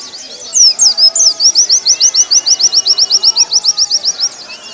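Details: Caged warbling white-eye singing for a training recording: a fast, even series of high, sharp chirped notes, about four per second, with a few looping whistles before it.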